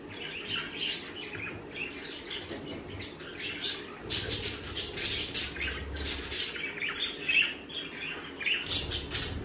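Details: Lively budgerigar chatter, with dense overlapping scratchy chirps and squawks in continuous pulses, several birds calling at once, plus some rustling and low thumps.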